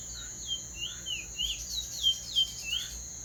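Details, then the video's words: A teacher bird sings a clean roll of quick, sweeping whistled chirps, about three per second, some rising and some falling, over a steady high insect-like hiss. "teacher bird singing clean roll"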